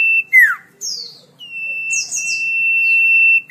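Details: Cipoh or sirtu, the common iora, singing for songbird tutoring. A held whistle drops into a slurred falling note, then come high, scratchy chattering bursts before a long, flat, pure whistle that lasts nearly two seconds.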